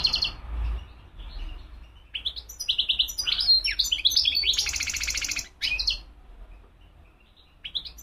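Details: European goldfinch song: rapid, liquid twittering phrases mixed with buzzy, rattling notes, run together for several seconds before breaking off, then a brief resumption near the end.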